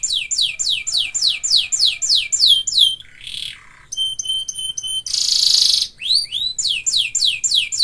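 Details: Singing canary: a string of fast downward-sweeping whistles, a harsh buzzy burst, a short stuttering series of clipped notes, a loud noisy rasp, then more quick swooping whistles.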